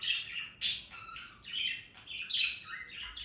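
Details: Budgerigar song of mixed twittering and rasping notes, opening with a loud sharp chirp followed by rambling lower chatter and descending slurs.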